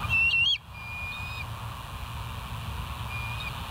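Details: Bald eagle at West End on a live nature cam, 8 August 2023, 7:30; a loud, short, high whistled call with a slight upward kink opens the clip, followed by faint thin echoing whistles over low steady hum.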